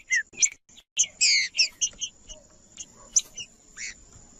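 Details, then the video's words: Green-winged saltator singing in male style to warm up other males: short rich, harsh-edged notes in rapid bursts, fading into scattered quieter notes over a faint background hiss. "Trinca-ferro Macheando com Trinca ferro cantando Para Esquentar Trinca ferro"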